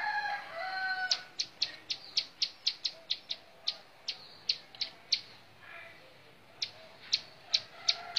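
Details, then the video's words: Singing bar-winged prinia, the montal mantul bouncing style: after a brief lower warbling sound, a steady series of sharp high chips, roughly three a second, with a short gap before a final cluster. "Suara Kicau Burung Ciblek Sawah montal mantul"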